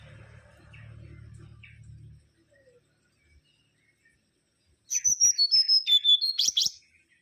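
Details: Mangrove whistler (Pachycephala grisola) in energetic song: after a low hum and quiet gap, a loud burst of about a dozen clear high whistled notes, rapidly repeated and stepping down then up again.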